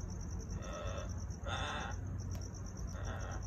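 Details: Amazon parrots enjoying kiwi fruit give three harsh, raspy squawks about a second apart over a steady low background hum.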